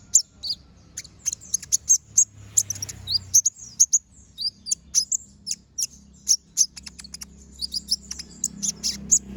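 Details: Brown-throated sunbird in full energetic song, a master recording for other birds to learn: a long, fast run of sharp high-pitched chips and buzzy twitters, almost continuous over a faint low hum.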